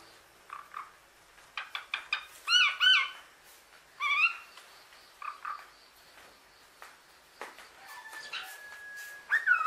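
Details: A captive hill myna bought as a pet chatters in a varied stream of harsh clicks, rising whistles and speech-like harmonic phrases, with several loud bursts around mid-clip and no other sounds.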